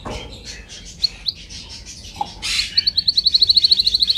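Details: Canary singing for training: soft warbling and a harsh burst lead into a long, evenly paced trill of high, clear pulses that continues to the end.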